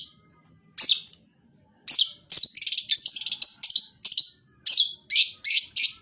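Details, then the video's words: Long-tailed shrike in full song: after a pause, a rapid run of varied scratchy notes, chattering trills and descending slurs, delivered loud and nearly continuously. "cendet gacor manteb banget"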